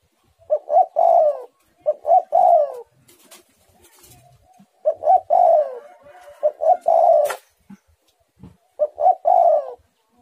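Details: Spotted dove singing repeatedly, four three-part phrases of short coos leading into a long rolling coo, roughly every two to three seconds, with a few clicks and faint knocks.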